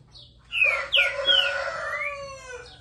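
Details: Green-winged saltator singing a loud, rich whistled phrase: clear notes slurring downward, then a long sustained whistle that falls gently and fades, with a faint low hum behind.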